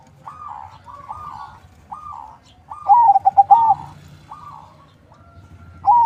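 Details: Farm-bred zebra dove, a crossbreed of local and Bangkok lines kept in Bekasi, West Java, singing as a lure bird. Repeated hollow coo phrases come about every second, with one loud burst of quick wavering notes near the middle and more distant doves.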